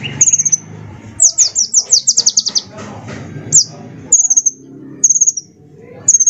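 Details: Sunbird lure recording for training other birds: a short high trill, then a longer run of about ten sharp descending notes, followed by several brief high rattles spaced roughly a second apart, low background hum.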